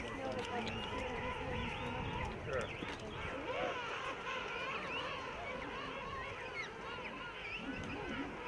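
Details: Huge King penguin rookery at Salisbury Plain, heard as a thick, continuous wall of overlapping quavering calls, with wobbling harmonic notes rippling through a steady rumble of colony noise.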